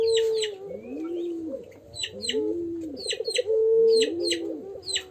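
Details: Young pelung dove learning its call with crying sounds: three clear, low, arched coos, each swelling and falling over about a second, alongside sharp high chirps from other birds and a steady tone.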